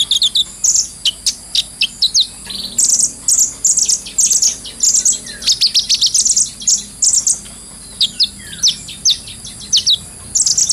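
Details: Brown-throated sunbird delivering vigorous ngobra song with a clear voice, intended as tutor material. Dense clusters of high, sharp twittering chips come in rapid runs, with short pauses between bursts, for over ten seconds.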